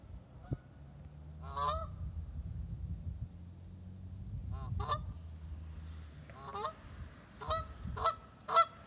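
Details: A Canada goose calling to another goose gives harsh, nasal honks, singly and in quick pairs, about seven in nine seconds, over a steady low rumble.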